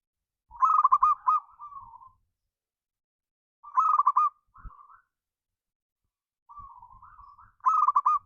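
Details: Local zebra dove, used as a lure recording to stir other birds into singing: bright trilled, rolling coos near one kilohertz, given in phrases about three seconds apart, each followed by softer warbled notes.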